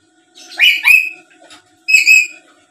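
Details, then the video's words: Black-capped lory, a lively bird said to talk and chatter, kept as a lure so rival birds answer: two bursts of loud, harsh, harmonic squawks about a second apart, with a brief faint chatter between them. "Suara Asli Burung Nuri Paltem Gacor Pintar Ngomong dan Ngoceh² Buat Pancingan"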